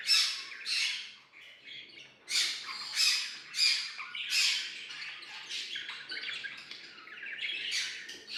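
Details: Pet budgerigars singing and playing, giving loud, harsh squawking bursts that repeat irregularly, about every half second to one second, with brief quieter chatter between them.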